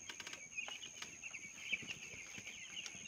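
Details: Small broiler chicks being reared, a dense flock chorus of high, overlapping peeps running steadily throughout, punctuated by scattered sharp clicks and taps.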